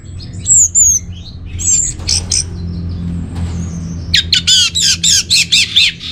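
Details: Orange-headed thrush kept caged, recorded as a lure and master song for birds: high thin whistles, then a run of loud, harsh buzzy notes repeated about three per second, over a low steady hum.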